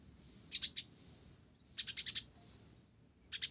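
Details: Olive-backed sunbird of the 'blorok' variety singing vigorously, its song filled with sparrow-like phrases: three short bursts of high, thin, rapid chirps, each a tight cluster of notes, separated by pauses over a low steady hum.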